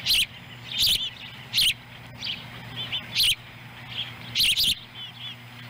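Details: Osprey nest in Lolo, Montana, July 18, 2017, with the female delivering a small fish to a chick. Separate bursts of high chirps, some with loud crackling clicks, come roughly every second, with quieter chirps and a steady hum between.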